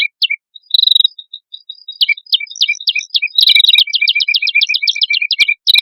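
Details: Red-headed prinia, male and female, in energetic lure song; a few scattered chips and a short whistle give way to a fast, even series of high clipped notes paired with lower ticks.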